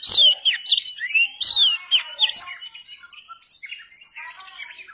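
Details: Oriental magpie-robin (kacer) song from a tutoring recording made for training cage birds: a loud opening burst of sharp, varied whistled notes and rising and falling chirps, then a quieter, softer run of scratchy twitters and short whistles.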